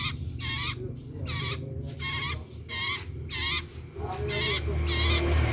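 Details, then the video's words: Common iora (cipoh sirtu) in full loud voice: eight short, rasping, chattering notes spaced about two-thirds of a second apart, with a deep background drone. "SUARA KENCANG BURUNG CIPOH SIRTU GACOR"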